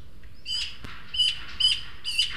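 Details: Three juvenile Eurasian magpies visit a feeder at El Retiro's garden in Madrid, two begging food from the third, more developed bird; rasping, harmonic-rich squawks repeated about every half second, four loud bursts plus a brief flutter-like click.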